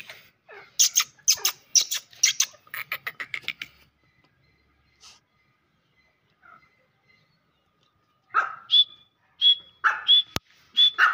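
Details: Grey francolin calling: a burst of harsh, scratchy chattering notes, a quiet pause, then loud whistled notes, each rising slightly, repeated about twice a second with rough grating sounds between them.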